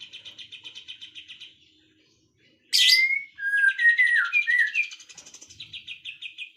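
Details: Birds singing in the afternoon. A rapid buzzy trill fades to a brief silence. A sharp burst follows, then loud slurred whistles mixed with chattering notes, and the trill returns at the end.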